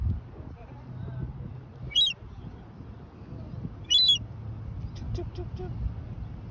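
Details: A young seagull chick wandering and seemingly searching for its mother, giving two loud high squeaky peeps a couple of seconds apart, then fainter short notes, against low steady background noise.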